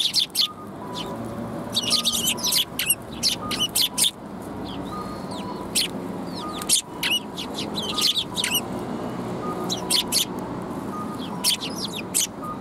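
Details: Several sparrows at a Tenmangu shrine on 9 December 2021 give dense bursts of sharp, high chirps that overlap in quick clusters, while a faint two-note electronic beep repeats steadily in the background.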